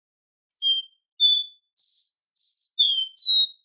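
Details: Captive Copper seedeater singing: clear pure whistled notes, some sliding down, delivered in a loose series of about six notes with short gaps.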